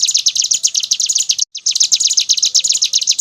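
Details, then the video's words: Brown prinia singing in the continuous rattling ngebren style: a dense, very fast high buzzing trill of rapid repeated notes, broken once by a brief silent gap. "SUARA BURUNG CIBLEK GUNUNG NGEBRENN"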